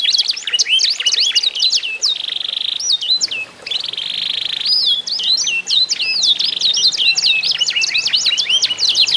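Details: Contest singing by canaries, meant to set other canaries singing: sweeping whistled notes rising and falling, broken by sustained flat whistles, delivered fast and loud without pause.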